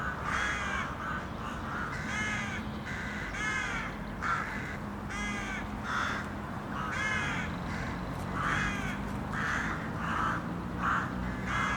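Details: Group of urban crows cawing repeatedly, loud rasping calls given in quick bursts of two or three, many birds overlapping across the whole stretch against a low city hum.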